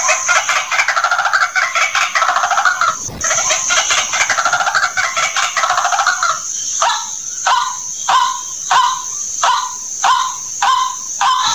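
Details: White-breasted waterhen lure call: a dense stretch of loud, rough, overlapping croaking notes, then a steady series of hoarse single notes about every half second, over a continuous high shrill tone.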